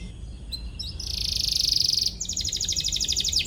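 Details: Atlantic canary in full, vigorous song, chirping in search of a rival, used as a lure to teach young canaries: a high, dense buzzy trill, then a rapid pulsed rattling trill, with faint brief notes before.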